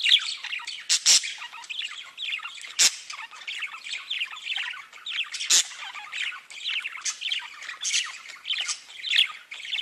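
Budgerigars chatter continuously with rapid, scratchy warbles and sharp squawks.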